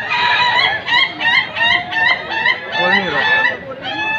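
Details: Ayam ketawa rooster, a laughing chicken from South Sulawesi, crowing at an Indonesian contest judged on how often and how long it crows. Rapid staccato cackling notes come about three per second, over crowd chatter and other birds.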